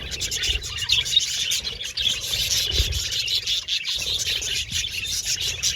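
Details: Budgerigars chirping together in an aviary colony, a continuous shrill twittering wash broken by a brief lull near the end, low rumble beneath.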